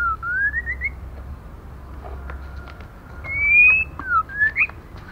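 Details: Calls of a female white-rumped shama meant to rouse males and young birds: rising, wavering whistles at the start, then a sustained upward whistle, a short falling note and a quick upslurred phrase, against low hum.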